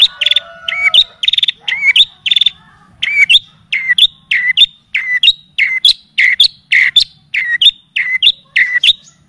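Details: Long-tailed shrike training song meant to enrich a bird's repertoire: opens with high buzzy chirps and a few lower whistled tones, then settles into a regular string of downward-swooping notes, each ending in a sharp flick.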